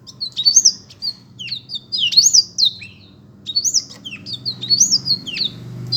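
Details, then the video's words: Black-throated canary in song: bursts of high, looping whistled notes with sharp rising and falling slurs, grouped in phrases with brief pauses, faint low hum behind. "burung blektroat memang keren ....suaranya"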